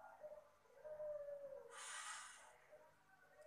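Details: Puter Pelung dove uttering its soft lure call: a mellow bending coo, then a brief burst of broad rushing noise before a faint closing coo.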